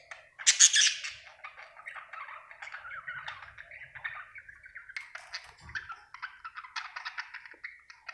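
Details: Happy budgerigar chirping: a loud harsh squawk opens, followed by steady rapid chatter of scratchy chirps and clicking warbled notes throughout.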